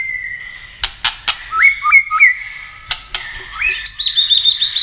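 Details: White-rumped shama, a contest bird flicking its tail and singing varied phrases meant to excite rivals: loud sharp clicks, level and stepped whistles, then a fast run of high, slurred notes repeated rapidly to the close.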